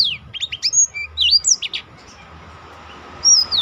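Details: Black-throated canary singing to stir other birds and serve as a training model: a quick run of high falling whistles and short chips, then a pause and one long descending whistle at the end.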